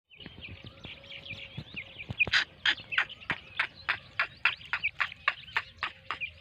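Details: A pair of black francolins, known locally as dhakni teetar, with four-day-old chicks. Thin, falling peeps open the clip. Then come rapid, harsh, clipped notes, about three per second, over faint low rumbling.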